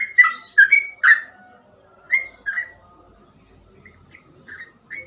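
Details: Sooty-headed bulbul (trucukan) in gacor song with easily copied cengkok phrases; loud, bright, buzzy whistled notes at the start, then sparser, fading soft whistles with quiet background.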